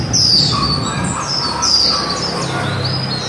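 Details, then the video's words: Two bright, high slurred notes falling in pitch, uttered by a female white-eye in líu style, followed by a thin trailing trill, with a quieter mid-pitched chatter beneath and low hum. "Khuyên mái líu đẳng cấp THẾ GIỚI"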